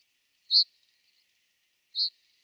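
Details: Common reed bunting in winter at Genk, Boxberg, Belgium, giving two separate short high seeping calls about a second and a half apart, otherwise quiet.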